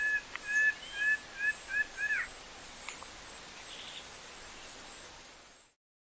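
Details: Plain-winged antshrike from Parauapebas, Pará, Brazil, giving a short run of hollow paired notes that speed up and close with a bending slur. A single sharp click and a steady high insect drone follow before sudden silence.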